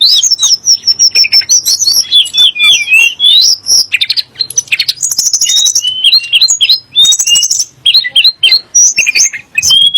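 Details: Sunda blue robin song, said to rile magpie-robins and shamas into agitated singing; a loud, fast run of clear whistles and sliding notes, rising and falling, with dense buzzy trills in between and quiet background.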